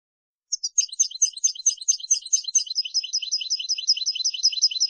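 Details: Song of a European goldfinch, recorded to teach young birds to sing, begins after a short pause: bright, chattering twitters at a quick pace flow into evenly repeated high tinkling notes, with nothing else audible.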